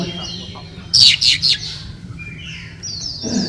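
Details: Caged Oriental magpie-robin competing at a 2018 bird singing contest in Sri Aman, Sarawak, Malaysia: soft whistles, then three loud harsh rasping bursts in quick succession, followed by faint sliding whistled notes over a low crowd murmur.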